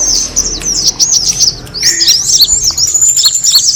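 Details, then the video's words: Kemade bird attraction sound: short bursts of high, piercing chirps and twitters from several birds, with a brief lower whistled note partway through. "the sound of the kemade bird attracting noise"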